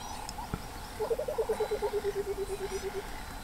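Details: White-browed coucal in Tarangire National Park, Tanzania, giving a low, hollow bubbling run of about twenty notes that slowly drop in pitch over two seconds, with faint background hiss.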